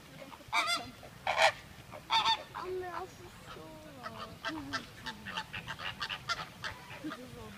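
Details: Chilean flamingo at Prague zoo giving loud nasal goose-like honks: three strong harsh calls in the first two seconds, then a run of quicker, shorter honks and lower warbling notes from other birds.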